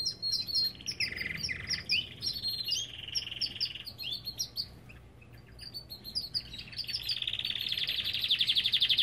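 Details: Belgian canary from an aviary delivering varied chirps and buzzy rolls, a short lull midway, then a long, loud rattling trill that builds to the end.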